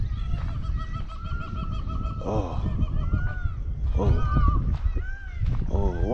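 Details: A peacock gives loud, nasal honking calls and a few harsh falling notes while large grey babblers chatter, in dry scrub jungle at Challakere, India, with a man talking during a walk and steady wind rumble.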